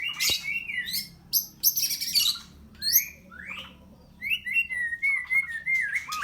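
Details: Murai batu (white-rumped shama) from Medan kept at a bird farm, singing varied whistled phrases with rising and falling slurs and sharp high notes in separate bursts, over a low steady background hum.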